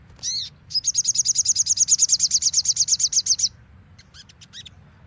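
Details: Crimson sunbird in nembak style, used as a training recording: a harsh grating note opens a long, fast, steady trill of roughly two dozen high piercing notes, followed by a few scattered short chips.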